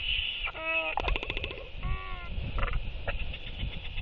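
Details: Royal albatrosses, four birds practicing courtship displays in the evening on 23 October 2023: short nasal wavering calls with stacked overtones alternate with quick clattering bursts and brief yaps, over constant low wind noise.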